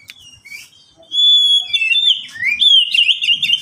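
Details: Pet oriental magpie-robin singing a lure song meant to coax quiet caged birds into song: a long pure whistled note held steady near one pitch, followed by rapid warbled slurs and a rising, trilling flourish.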